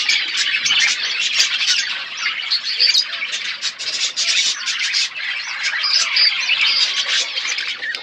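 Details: Outdoor aviary budgies eating seeds: a lively wall of chirps, twitters and warbled phrases from many birds, with a slight dip in loudness midway.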